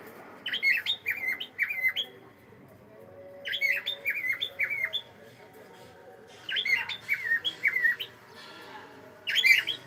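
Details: A pet cockatiel greeting with bursts of rapid, scratchy chirps and downward-sliding whistles, four clusters a few seconds apart, each holding several quick notes; a low steady hum fills the gaps.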